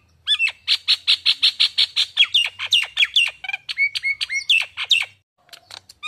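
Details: Nias hill myna, a captive bakalan bird, calling as a lure: a quick burst of bright, repeated notes that turns into varied, swooping and twisted squawks, then stops abruptly with faint notes after.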